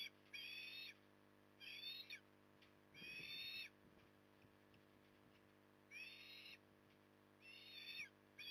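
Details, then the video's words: During evening feeding at Port Lincoln, Australia, in October 2020, an osprey gives five high, thin, slightly wavering whistled calls, each about half a second long, spaced irregularly with quiet gaps between them. "Osprey ~ Evening Stuffing"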